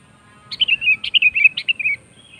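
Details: Lure song of a sooty-headed bulbul used to get other birds singing: one fluid burst of rich, gurgling whistled notes tumbling slightly downward over roughly one and a half seconds, then quiet with a faint background hum.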